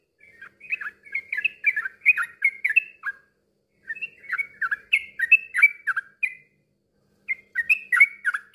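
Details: Song of a yellow-vented bulbul used to encourage silent birds to join in singing: three bursts of rapid bubbling, gurgled notes with slight rises and falls, separated by short pauses.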